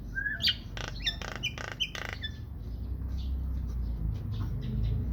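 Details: A talking myna gives a quick run of harsh, buzzy bursts and sharp rising whistles, then softer scattered chatter over a low indoor hum.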